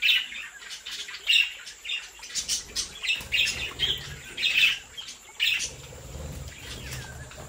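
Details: Budgerigars bred at home chatter in a lively run of high chirps and squawky notes, clustered in quick groups with brief pauses, over a low rumbling background.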